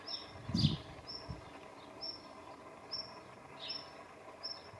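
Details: A male black redstart calling from the tip of a branch on a pruned tree: short, thin, high notes repeated roughly once a second over steady background noise, with one low thump near the start.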